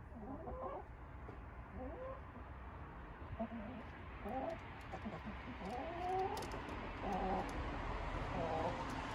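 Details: Happy hens of an urban flock chattering at bedtime: soft, murmured clucks and short rising notes come in an irregular stream over a low steady background rumble.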